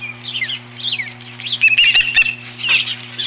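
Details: Nesting osprey reacting to an intruder in April 2015: softer high whistled notes, some rising and falling, building to a louder burst of sharp clipped calls midway, with a constant low hum beneath.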